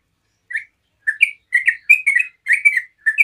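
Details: Quickening chatter of a yellow-vented bulbul, sung to draw answers from other bulbuls: isolated chirps grow into clustered, overlapping bright notes with rising and falling inflections.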